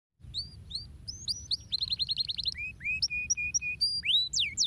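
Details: Canary song used to stimulate other birds to sing: varied high whistled notes, a fast buzzy trill of repeated short syllables, then steady flat repeated notes and a few sweeping slurred phrases.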